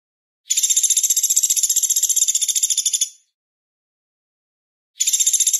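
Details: Velvet-fronted nuthatch delivering a loud, shrill, very high trill of rapid notes lasting almost three seconds, then silence before another trill starts.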